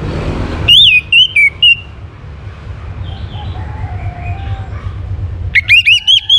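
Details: Song of an orange-headed thrush, played to encourage other birds to sing: a bright whistled phrase of four quick notes, a pause with faint distant chirps over low rumble, then a run of rapid rising whistles.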